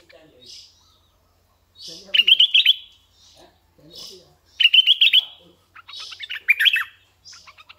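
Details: Three short, bright, bubbly bursts from a decoy red-eyed bulbul, separated by quiet pauses holding soft hissy and low chattering sounds.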